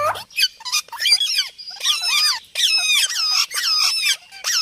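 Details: Parrot talking and making sounds: a continuous run of harsh, nasal, speech-like syllables in bursts of about half a second, rapid and broken by short pauses, with no other sounds.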